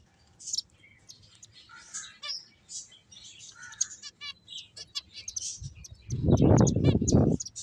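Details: Several finches playing, giving a busy stream of short, high chirps and tweets, some in quick rattling runs, overlapping throughout; a loud, low rumbling thump of noise takes over the last second and a half.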